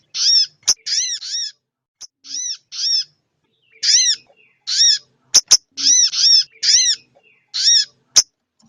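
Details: Lure call of a female sogon ontong summoning the male. Quick runs of two to three nasal, curved notes repeat after short pauses, with occasional crisp clicks.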